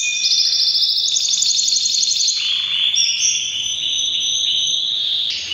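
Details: Canary in breeding season singing loudly: dense rattling trills and long level whistles layered in bright high tones, unbroken throughout.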